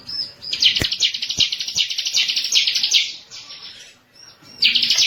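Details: Bar-winged prinia, a tutor and lure recording for caged birds: a fast, high, chattering series of repeated buzzy notes lasting about three seconds, then a short break and another trill.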